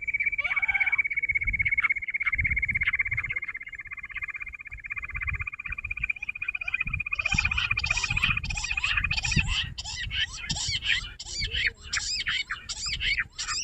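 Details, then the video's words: Jungle bush quail recorded on 16 June during quail trapping; a long, even trill of rapid pulses held on one steady pitch for about seven seconds, then scratchy chirping notes, over low rumbling background noise. "jungle Bush Quail sound"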